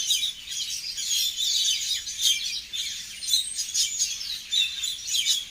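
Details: Several birds tweeting together: a dense wash of high, thin chirps and twitters overlapping continuously, with no single voice standing out.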